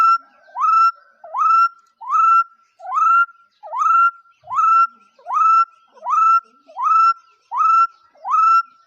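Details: Bird calling steadily indoors-quiet setting: a clear whistled note that swoops upward then holds level, repeated about 78 times a minute at a very even pace, each note with bright overtones; no other sounds.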